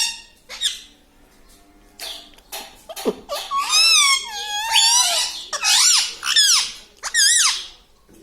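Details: Talking parrot, a pet bird said to speak words such as papa and mummy, giving a run of loud, harmonic, wavering calls that rise and fall in pitch, several in quick succession after a few soft clicks and squeaks.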